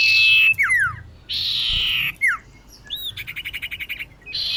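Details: Female common iora calling a male, as a trapping lure: buzzy rasping bursts separated by sharp downslurred whistles, then a rapid series of about a dozen evenly pulsed notes and a final buzz.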